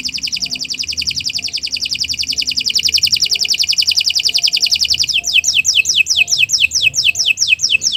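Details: Canary in full, sustained song meant for training other birds: a rapid, even trill lasting about five seconds that switches into a series of quick downward-sweeping whistles repeated several times a second.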